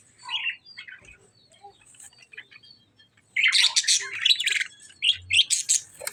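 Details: Lovebirds fighting with budgerigars: quiet scattered chirps, then a sudden burst of loud, harsh, rapid squawks and chatter in the second half, with short gaps between bursts.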